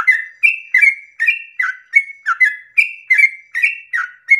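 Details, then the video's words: Dawn song of a yellow-vented bulbul in the long 'ropel' style, played to excite other bulbuls into joining in; quick liquid whistled couplets alternate higher and lower, nearly three per second, over silence. "pancingan trucukan ropel panjang subuh pagi hari merangsang emosi trucuk lain agar ikut bunyi Ropel"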